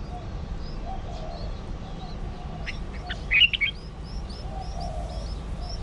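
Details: Red-whiskered Bulbul chicks from a brood of four, hatched 17–18 June 2020 in a nest in a potted plant and being fed crickets, give thin, high chirps rising to a brief harsh burst of begging calls.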